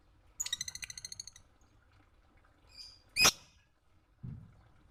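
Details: Lovebird song from a training recording meant for other birds to copy: a fast run of bright, ringing, evenly repeated chirps lasting about a second, then a loud sharp click and a later low thump.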